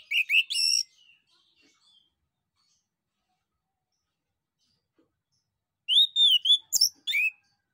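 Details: Male orange-headed thrush lure song to prompt other birds to answer: a fast warbled whistle phrase, several silent seconds, then a wavering whistled phrase ending in a few sharp notes and a click.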